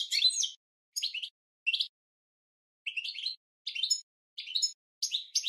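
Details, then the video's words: European goldfinch training song for cage birds, delivered as short bursts of high, tinkling twitters and buzzy chirps, repeated every half second to a second with a longer pause midway, on a silent background. "Goldfinch 12h Training Song"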